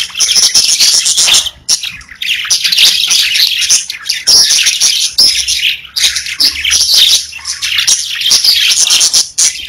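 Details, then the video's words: Several pet budgerigars singing and chirping in a dense, continuous chatter of high, buzzy warbles and sharp chirps, with brief pauses near two and six seconds. "30 Minutes of Budgies Parakeets Singing, Chirping | Budgie Noises"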